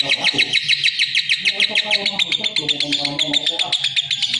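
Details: Rapid, rasping chirps from a lovebird repeat steadily throughout, joined partway by softer, lower warbling notes beneath the high chatter.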